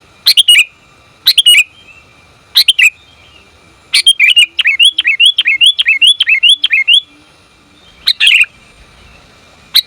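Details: Female sooty-headed bulbul calling the male: loud, bubbly chirp bursts, then a run of quick, repeated rising notes in the middle. A faint, steady tone hums throughout.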